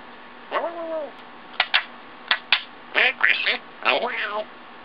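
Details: A 1.5-year-old female African grey parrot talks, saying her new words in bursts of word-like syllables with nasal, rising and falling tones, broken by sharp clicks and pops.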